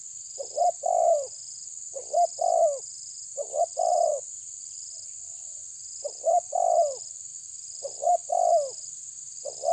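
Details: Rival-challenging spotted dove cooing in a steady series, each phrase a quick double note then a rich falling coo, one short break midway, with a high continuous hum and a softer repeated pulsing tone.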